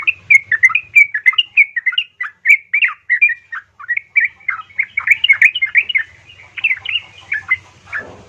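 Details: Calling female yellow-vented bulbul summoning a male, intended to coax hesitant bulbuls into singing. Continuous babbling stream of bright, bubbly slurred notes at an irregular, fast pace, ending with a brief rasp.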